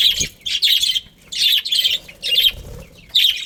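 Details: A family group of budgies chirping: bursts of bright, scratchy chatter, each lasting about half a second, broken by short pauses, with no other clear sounds.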